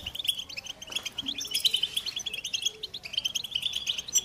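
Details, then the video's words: Goldfinch song in a dense run of quick, high, tinkling notes and buzzy trills, with clipped chirps repeated several times a second over a quiet hiss. "Goldfinch motivating songs"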